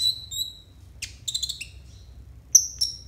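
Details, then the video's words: Konin kept as a master bird for training other birds, giving bright high whistled notes and quick chattering bursts, with short pauses between phrases. "TERAPI AMPUH UNTUK BURUNG KONIN 100% COCOK BUAT MASTERAN KONIN BAHAN"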